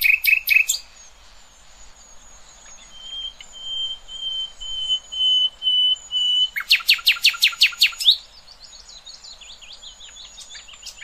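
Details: Nightingale song used to tutor young goldfinches and goldfinch hybrids: high whistled notes, a long pure sustained whistle, then a rapid loud series of sharp repeated notes around the eighth second, followed by softer warbling.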